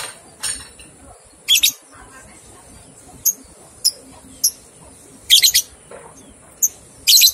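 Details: Lovebird ngekek training recording meant to get two-month-old young birds singing: scattered short, shrill chattering bursts spaced irregularly, some doubled, with quiet gaps and low background hiss between them.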